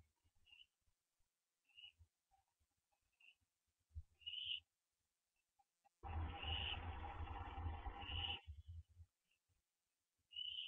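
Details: Owl perched on a hitching post at 4:20 AM on September 15, 2011; short high whistled notes every second or two, with a harsher broadband burst midway and scattered low thumps.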